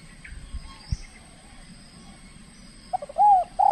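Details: Spotted dove trained for contests, in its first bout in the Riau Islands and behaving aggressively: quiet background with faint chirps, then a quick burst of hollow coos at the end.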